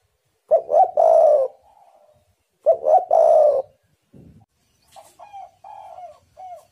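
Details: Spotted dove call used as a lure for wild doves: two loud phrases of stuttered coo plus long falling coo, then a dull thump and a series of softer, shorter coos trailing off.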